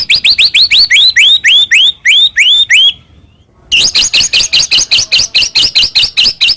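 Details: White-rumped shama singing as a provoking lure for another shama: a fast series of upslurred whistles, a short silence, then a long rapid train of harsh repeated chirps.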